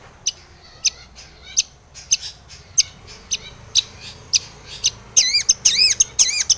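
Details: Long-tailed shrike in strong singing form, used as a lure to provoke other shrikes into singing; sharp high chips repeated roughly twice a second, ending in a burst of rapid warbling, looping notes.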